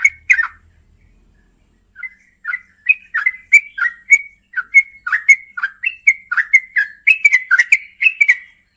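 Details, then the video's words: Night-time calling of a female yellow-vented bulbul seeking the male: a brief burst of chattering notes, a short silence, then a long even series of bubbly, slurred warbles repeated several times a second. "masteran burung trucukan malam hari"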